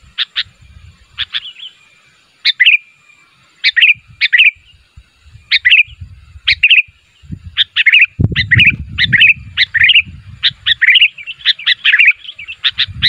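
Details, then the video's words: Sooty-headed bulbul calling so other bulbuls respond, a long run of sharp chirps each with a short slurred tail, spaced about half a second to a second apart, with a low rumble joining midway. "SUARA BURUNG KUTILANG MEMANGGIL, KUTILANG LAIN MANA TAHAN GAK NYAUT"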